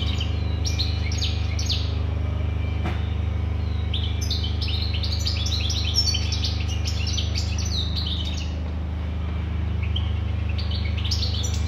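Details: European goldfinch delivering sustained twittering song, clusters of fast, high chirps and liquid trills running almost without pause, with one sharp click and a steady low droning hum throughout.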